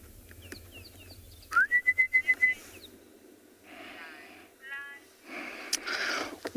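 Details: At sunrise on 15 October in Tswalu Kalahari Reserve, South Africa, a distant Orange-breasted Bushshrike gives a quick upslurred note, then about six even, mellow whistles at one pitch; other birds chirp before, a man talks after.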